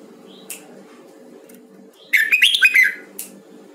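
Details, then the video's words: Voice training of a Huế red-whiskered bulbul. After a quiet opening with a couple of faint chirps, a lively phrase of rapid, liquid whistles tumbles up and down for almost a second, against a low steady hum. "Luyện giọng chào mào huế"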